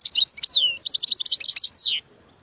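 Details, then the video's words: Wild European goldfinch singing a fast, bright twittering phrase of high liquid notes, buzzy trills and quick slurred whistles, lasting about two seconds before stopping, with a quiet background. "تغريد حسون خلاوي نوطات جميلة"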